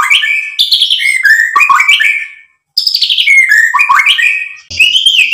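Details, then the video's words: White-rumped shama song for provoking other birds: two rapid bursts of cascading slurred whistles and chips, separated by a short silence, loud and varied. "SUARA MURAI BATU Untuk MENAIKAN EMOSI jadi NYAUT GACOR"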